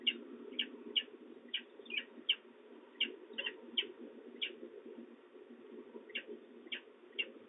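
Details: Chittering of a young peregrine falcon at De Mortel in the Netherlands, 31 March 2024, after the male brings prey: a run of about fifteen clipped, high notes, some doubled, spaced unevenly above a constant low drone.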